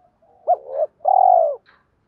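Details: Spotted dove lure call to attract other doves, in a style with two tail notes and a three-note challenge. A soft lead-in, a hooked note rising into a drawn-out coo, then a long pulsed, gently falling coo.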